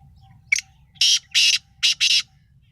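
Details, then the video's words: Kala Sindhi titar (black francolin) in spirited voice: a brief high click followed by four rasping, broad, hoarse notes, the last two run close together, over a quiet low hum. "kala sindhi titar ka masti wallah boli"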